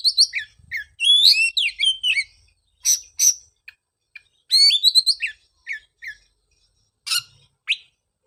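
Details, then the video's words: Oriental magpie-robin lure song for a bird that fell silent after moulting: two bursts of fast, varied whistled warbling separated by pauses, with sharp chips and a final harsh note. "pancingan suara untuk terapi burung kacer"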